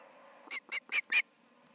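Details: Osprey at the Charlo nest on the evening of 20 August 2019, around 7pm: four quick, thin, high squealing notes against a soft background hiss.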